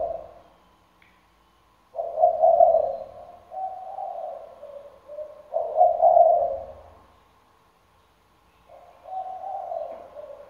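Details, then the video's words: Caged decoy spotted dove, its deep 'thunder-bronze' voice calling day and night; two long sequences of soft, hollow coos, each a burst of loud notes trailing into quieter ones, separated by silence. "cu gáy giọng sấm đồng, đủ bài bản (gáy, gù suốt ngày đêm)"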